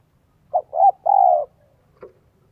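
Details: Spotted dove decoy from Vietnam in the 'son 1 cốt' style, used to attract wild doves. One soft three-part coo phrase, followed by a brief sharp knock.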